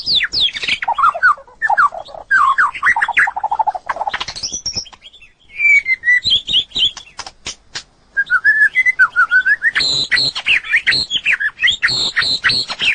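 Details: Natural song of a white-rumped shama: descending runs of rich whistled notes, then a quiet gap, sharp clicking notes, and a final burst of rapid high chirping phrases.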